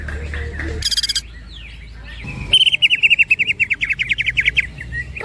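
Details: Greater green leafbird (cucak ijo) performing ngerol platukan rolling song: a brief buzzy burst, then a rapid woodpecker-like trill of about twenty-five quick repeated notes over two seconds, followed by short whistles.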